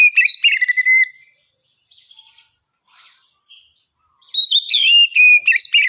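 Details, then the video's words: Oriental magpie-robin song: a fast run of varied whistled notes falling in pitch, a silent gap over a steady thin high tone, then another lively burst of rich whistles and sharp slurred notes. "KACER GACOR"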